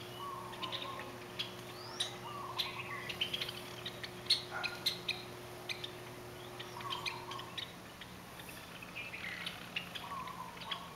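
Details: Noisy Java sparrows outside a bedroom window on a chilly morning in Hawaii give a busy stream of short, high, metallic chips and clucks from several birds over a steady low mechanical hum; a turtle dove also coos.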